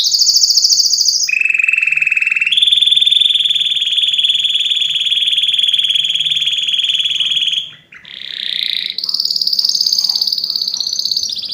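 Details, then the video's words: Strong canary singing used to train birds by listening: a high trill, then a lower buzzy roll, a long steady rapid tour lasting about five seconds, a brief pause, and more rising trills. "أقوى تغريد كناري لتسميع الطيور"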